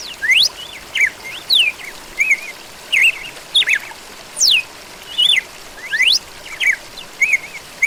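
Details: A dozen or so clear whistles from a red-cowled cardinal, steep rising and descending sweeps mixed with short arched notes, repeated rapidly and evenly loud, with gentle background hiss throughout.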